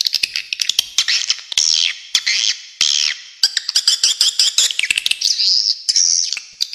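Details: High, wavering swiftlet twitters with rising and falling buzzy notes, broken up by sharp clicking ticks that arrive in irregular rapid trains.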